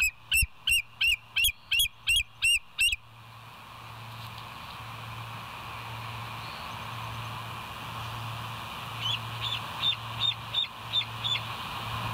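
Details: West End bald eagles on the nest cam, 20 July 2023, 05:04: eight loud, evenly spaced high piping notes, a quiet pause with hum, then a softer, more distant series of similar chattering whistles.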